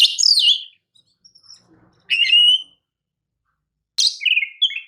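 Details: Oriental magpie-robin, a champion kacer recorded as training material, gives three separate short phrases about two seconds apart, each a quick cluster of bright chirps ending in a warbled whistle.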